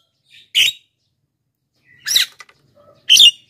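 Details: Harsh, scratchy notes from a Black-winged myna, a recording meant to draw in wild birds and prompt reluctant singers. Three loud bursts, the last two close together, with a brief faint whistle between them.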